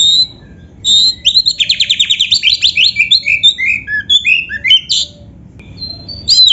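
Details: Singing Oriental magpie-robin, kacer 'isian komplit' style with canary-learned phrases: short high whistles, then a rapid chain of about fifteen repeated chirps, descending whistled slurs and sharp upward notes near the end.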